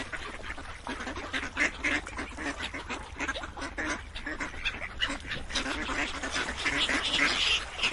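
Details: Many ducks quacking together in a dense, overlapping chorus, harsh nasal calls tumbling over one another several times a second with no pause, some brighter sharp notes rising above the flock.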